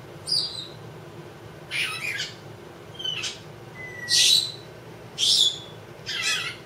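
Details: Indoor two-year-old female Congo African grey parrot vocalising while her owner asks if she is a pretty bird: six sharp whistled notes and rasping squawks, roughly one a second, some sliding down in pitch.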